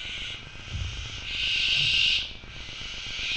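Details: Barn owl in a nest box in Macedonia gives a harsh, breathy hiss throughout, swelling into a louder rasping burst near the middle, over a low rumble.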